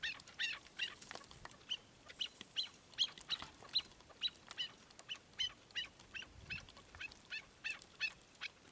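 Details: Chukar partridge giving a long series of short, sharp, high clucking notes, roughly two to three per second, uneven in spacing and loudness, over a quiet background.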